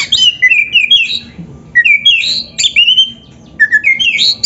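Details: Oriental magpie-robin (kacer) song used as an Indonesian masteran for training birds. Clear, rich, whistled phrases slide upward in steps, repeated in three short groups with a brief pause between them.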